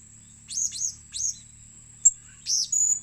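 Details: Blue-crowned hanging parrot calling as a lure bird: short, very high, arched chirps in a quick pair, then single notes, over a faint continuous high tone.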